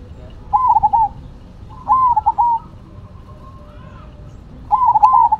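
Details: Zebra doves kept for song, Cemani and Silver perkutut, calling in turn: three separate phrases spaced about two seconds apart, each a quick rise, trilled stutter and steady closing coo, with faint cooing between.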